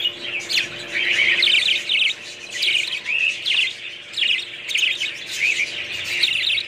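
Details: Budgerigar warbling in short, distinct phrases of bright, wavering chirps and squiggly whistled notes, each lasting about half a second and separated by brief gaps, over a soft background hum.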